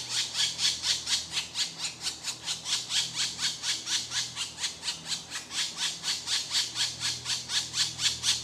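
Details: Hungry woodpecker chicks begging while their mother feeds them: harsh, buzzy, high squeals in a steady, rapid chorus of about two calls per second, each rising and fading, with faint low background hum.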